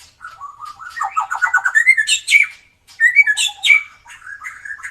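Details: Energetic white-rumped shama from Indonesia, drooping-tailed, singing to prompt quiet birds into song: a rapid run of rising whistled notes climbing in pitch, then bright, scratchy phrases after a short pause, with a clean, quiet background.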